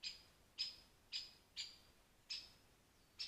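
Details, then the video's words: At a forest pond in Wales, a rare European pied flycatcher utters six sharp, bright, high-pitched notes at an irregular pace of about one every half second; the setting is otherwise quiet. "rare pied fly catcher in the forest pond"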